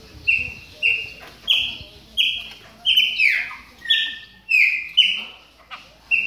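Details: Chopi blackbird during moult warming up, calling with evenly spaced bright whistles, one longer swooping note in the middle, and soft clicking in the background.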